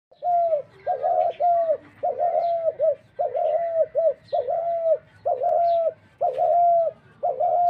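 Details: Dove calling: steady two-part mid-pitched notes with a flat, whistle-like hold, repeated about once a second in a regular series, with faint higher chirps from other birds in the background.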